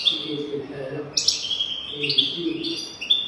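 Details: European goldfinch song meant for teaching young goldfinches to sing: bright, high, twittering whistles and liquid trills in quick phrases, with faint low murmuring sounds underneath.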